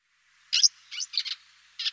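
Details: Eurasian crag martin call: four or five short, dry, buzzy chirps, some paired, in under two seconds against a quiet background.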